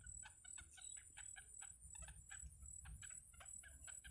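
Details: At a wild nest, yellow bittern chicks taking food from their mother make rapid, rough clicking clucks, several per second, against a faint low rumble and a thin constant high tone.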